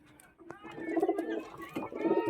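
A pigeon gives low, throaty cooing notes that swell and rumble.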